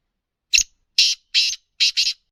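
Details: Kala teetar, the black francolin, in its kabotra or speeder style, calling with one short note and then rasping high bursts, the last pair run together, all within about two seconds and with no other sounds.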